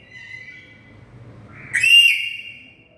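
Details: Black-capped lory, very loud: a soft whistled note, then a sudden strident upward-sweeping screech with bright overtones that fades over about half a second.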